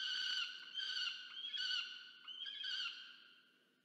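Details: Loud, insistent food-begging by a peregrine falcon chick toward its parent at a Charles Sturt University nest cam, Orange, Australia, November 2022: harsh, harmonic wailing cries in three or four surges that gradually fade out.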